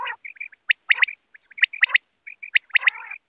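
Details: Wild quail in a net-hunting setting: rapid bright whistled triplets with short chips, opening and closing with rough, buzzy churring notes.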